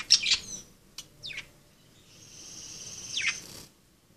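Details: Playing budgerigars give sharp, high chirps, then a long, steady, thin whistle lasting over a second that ends in a falling chirp.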